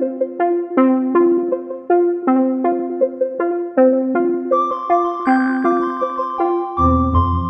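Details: Steady electric piano or keyboard melody with repeated notes, with no animal voice present.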